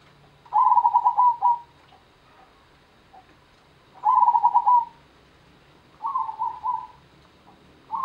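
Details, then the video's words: Zebra dove, a local Indonesian perkutut of the Gendowo Sabdo rhythm, singing: bubbling, trilled coo phrases near one pitch, each about a second long, repeated every few seconds, the third phrase wavering; quiet background. "IRAMA PERKUTUT GENDOWO SABDO (ORIGINAL LOKAL ALAM)"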